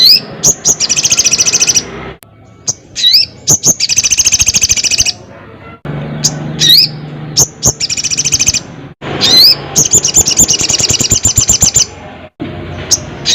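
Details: Loud crested jay delivering a series of rapid buzzy rattles, each lasting one to two seconds, interspersed with sharp rising whistles across the whole stretch.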